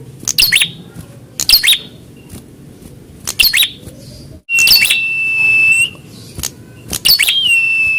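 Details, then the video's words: Prinia song given in a fighting test, answering a rival: sharp chipping bursts repeated about once a second, with a long high steady whistled trill near the middle and another at the end. "COBA TEST MENTAL BURUNG PRENJAK KALIAN...!! KALAU MERESPON BERARTI PRENJAK ANDA FIGHTER .."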